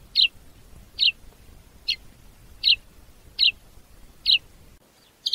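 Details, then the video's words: Sparrow in Africa giving short, sharp chirps repeated about every 0.8 seconds, six evenly spaced notes over a faint low background hum, ending in a brief chirping burst. "Воробей. Африка. Голоса птиц"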